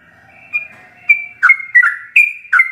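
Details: Yellow-vented bulbul in rapid ropelan song, full of varied notes, kept for training captive birds: a faint whistle first, then bubbly chirping phrases, each note dropping in pitch, about six bursts in under three seconds.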